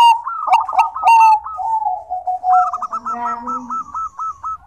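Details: Bangkok-type zebra dove singing, meant to encourage reluctant birds to call: a slurred, falling coo followed by a rapid purring trill of evenly spaced notes, with a fainter lower murmur underneath.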